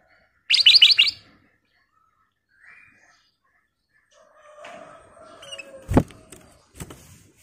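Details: Lively black-crested bulbul song used as lure audio: a short, loud cluster of rapid bright notes early on, then quieter chirps, lower murmuring sounds and a couple of sharp clicks.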